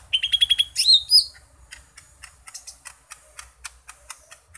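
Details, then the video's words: Green leafbird singing a song packed with varied phrases, opening with six quick, even notes, then loud slurred whistles, and finishing with a fast run of faint, dry ticking notes. "Burung Cucak Ijo Mini isian seabrek"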